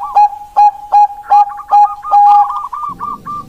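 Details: Bangkok-type zebra dove singing: clear mid-pitched notes evenly repeated about every third of a second, running into a rapid rolling trill, with a low buzzing sound joining at the end.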